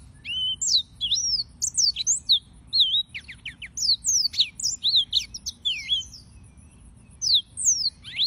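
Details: Yellow-fronted canary singing a lively run of high whistled slurs and quick chips, mostly downward sweeps in clustered phrases, pausing briefly near the middle, over a low rumbling background.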